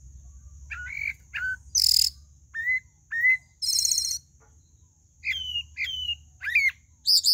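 Pale-breasted thrush singing short, clear whistled phrases, some rising and falling, mixed with scratchy high chatters, with a steady thin insect-like whine behind.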